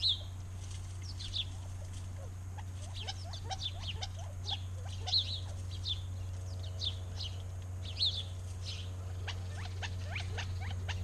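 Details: Backyard birds singing in Arizona: many short, bright chirps and quick downslurred notes from several birds overlap throughout, with a steady low hum underneath.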